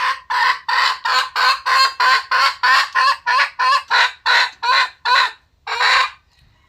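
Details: Red junglefowl calling, dated 21 November 2022: a series of about thirteen harsh, buzzy honking notes, each about a third of a second long and evenly spaced. After a short gap comes one longer final note.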